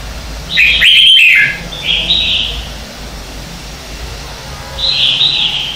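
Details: Red-whiskered bulbul morning song, 2019 lure recording for stimulating caged birds to sing: one loud warbled burst, then softer high whistled notes spaced well apart, the last after about three seconds.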